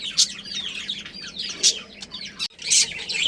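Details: Budgerigar breeding pair and family in a colony, giving busy twittering warbles overlaid by bursts of loud scratchy chirps at regular moments, over a faint low background hum.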